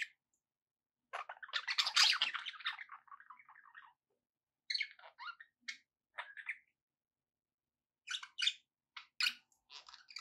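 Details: Budgerigars kept as pets in a long, dense burst of scratchy warbling chatter, followed by scattered short chirps and squawks spread over several seconds.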